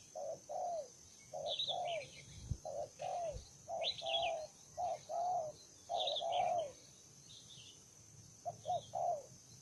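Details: Combative wild spotted dove cooing steadily: pairs of short low notes followed by longer arched coos, repeated about once a second, with other small birds chirping high in the background.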